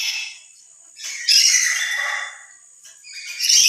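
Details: Emotional loud call of a lory that is louder when alone than among other lories. One long, hoarse screech followed by the start of another.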